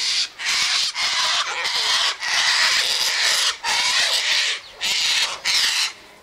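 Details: Sulphur-crested cockatoos gathered in a flock at the eastern gate eating tossed seed mix; very loud, drawn-out harsh screeches, each lasting up to a second, sound back to back with only brief breaks.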